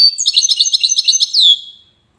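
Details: Wydani-type European goldfinch from Safi, Morocco, delivers a rapid run of evenly spaced high chirps ending in a clear descending whistle that trails off.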